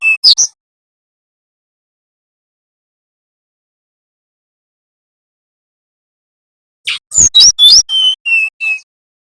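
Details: {'caption': 'Bali-type brown-chested jungle flycatcher with a nyiul lure phrase for teaching young forest birds: brief chirps, about six seconds of silence, then a phrase of quick sharp notes and four falling whistles.'}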